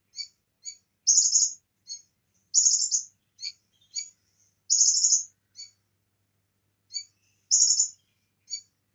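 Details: Lively bar-winged prinia song filled with cililin phrases: short high chips lead into shrill buzzy rattles, repeated four times with pauses, the last after a short gap.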